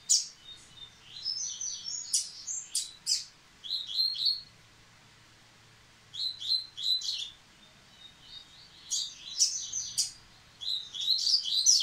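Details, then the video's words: After the moult, a Yellow-bellied seedeater resumes singing with repeated bursts of rapid, high, tinkling notes, about five phrases separated by brief pauses, each phrase a quick run of sharp chirps. "Coleiro Baiano Caetano voltando a cantar após muda!!!"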